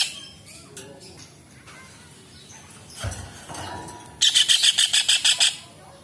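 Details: Kingfisher (cekakak, raja udang) sound for tutoring songbirds. A soft rustle and faint chirps come first. Then a short, harsh rattle of about nine quick, buzzy notes follows near the end.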